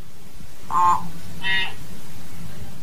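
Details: Common hill myna calling the flock with two short, nasal, harmonic-rich notes about half a second apart, the second pitched higher than the first, over a steady low rumble.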